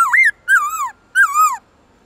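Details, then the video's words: A black-throated laughingthrush sings in its wild-type voice with long, loud, clear tones: three rich whistled phrases swooping up and down, each about half a second long, with short pauses between. "Khướu bạc má HÓT GIỌNG RỪNG tone dài to rõ cực hay"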